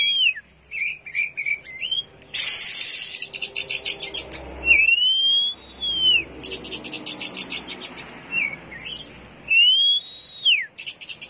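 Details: Oriental magpie-robin with a harsh, varied song meant to provoke rival birds: clear arched whistles, quick stuttering chatter and a burst of rough hissing, delivered in short loud phrases separated by brief pauses.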